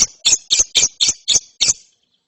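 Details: Seven harsh, buzzy chirps come in quick even succession, about four per second, from a young lovebird said to be chattering ngeriwik after therapy.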